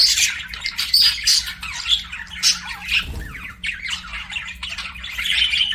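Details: Several pet budgies chirp and chatter together, dense scratchy warbling and squawky notes high in pitch running without pause, with a faint steady low hum underneath.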